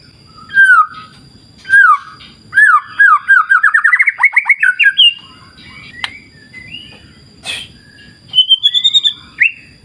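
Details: White-rumped shama song used as a lure to make birds sing: clear, varied whistled phrases, a rapid series of rising slurred notes, then pauses and a high thin whistle, over a low background rumble.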